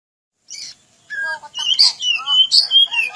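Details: Oriental magpie-robin (kacer) singing, used as a training recording for birds: varied whistled phrases with sliding, rising and falling notes mixed with buzzy bursts, delivered rapidly after a short pause.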